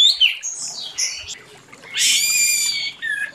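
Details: Orange-headed thrush in morning song, giving high descending whistled notes followed by a loud, buzzy, rich sustained phrase and a short clear note at the end.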